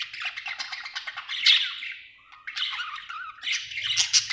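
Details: Happy pet budgerigar chirping indoors: a dense, scratchy warble of rapid chatter and squawky notes, continuous for about two seconds, a brief dip, then resuming with sharp bright chirps.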